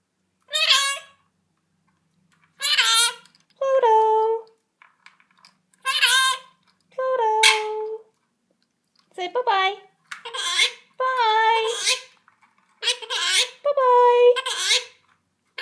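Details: A pet male monk parakeet (Quaker parrot) that has been plucking its feathers talks in short, shrill, speech-like bursts indoors while its owner prompts it with greetings and hide-and-seek questions.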